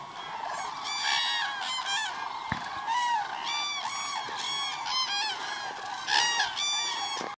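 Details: A large flock of cranes at Agamon Hula lake, Israel, on 30 December 2014, calls continuously in loud, overlapping, rolling trumpets, many voices at once with no pause.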